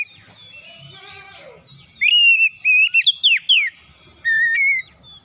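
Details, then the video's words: Persistent oriental magpie-robin morning song, meant to get reluctant birds singing and showing their repertoire. Soft warbling and a descending trill lead into loud level whistles, rapid slurred notes and a final lower whistle. "PANCINGAN PAGI KACER SUSAH BUNYI LANGSUNG GACOR NGOTOT BONGKAR ISIAN"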